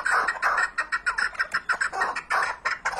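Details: Chukar partridge uttering quick repeated hoarse chuck syllables in a steady, slightly uneven stutter, loud and close throughout.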